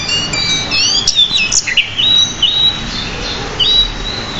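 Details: Decu, or pied bushchat, singing lively varied song in a masteran recording: a quick tumble of high whistles and slurs early on, then steady drawn-out whistled notes with small upward flicks.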